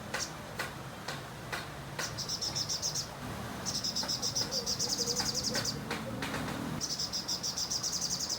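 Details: Sogon singing, used as tutor material for magpie robins. Several clicks and taps come first, then three long bursts of fast, high, evenly pulsed trilling, each one to two seconds long, over a low background hum.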